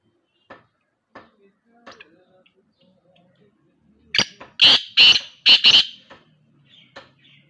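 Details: Black francolin in the open, soft scattered clicks and ticks first, then a loud burst of five harsh, rasping notes in quick rhythmic succession, trailing off into faint scratchy sounds.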